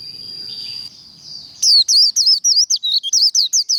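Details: Japanese white-eye performing líu đấu contest singing for training, a faint steady high whistle first, then a fast run of about fifteen sharp, high warbled notes, each bent up and down, delivered nearly three per second.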